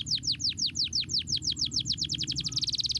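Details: Singing canary, used to prompt lazy canaries into song: a steady run of about sixteen sharp downswept whistles that speeds into a tight high trill at the end, with low background hum.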